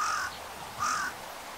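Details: A carrion crow in winter gives two harsh, grating caws about three-quarters of a second apart, each slightly falling, over faint outdoor background noise.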